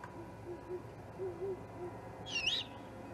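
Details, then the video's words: Juvenile great horned owl recorded at the Charlo osprey nest on 21 October 2020: several low, quavering hoots spaced irregularly, followed by a loud harsh, arched screech late in the clip; a constant low hum underneath. "This Juvie GHO is a Hoot!"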